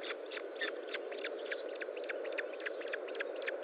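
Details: Osprey calling at the nest during a feeding session, 25 June 2012 at 10:58; brisk series of brief high chirps, roughly three to four per second, over steady noise.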